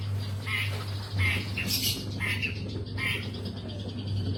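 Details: Long-tailed shrike uttering harsh, scratchy phrases in short bursts with brief pauses, over a constant low electrical hum.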